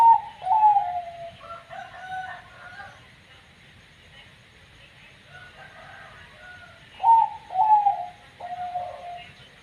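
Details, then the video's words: Zebra dove, banyu mili type, noted for an unusual voice. Short bursts of descending coos open the passage. Softer, wavering notes follow, then a pause, and another pair of sharp, falling coos ends it. "perkutut katuranggan banyu mili super bunyi aneh"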